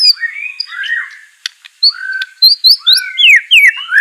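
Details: White-rumped shama song meant to spur a silent bird to answer and sing: a softer, thin opening, then a run of loud rising and falling whistled notes, a few sharp clicks mixed in.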